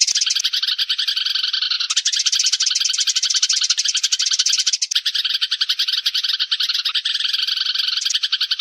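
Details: Chorus of sparrows calling the flock together, offered as trapping lure sound: rapid, overlapping chirps forming a dense chatter, with regular bursts of louder calling.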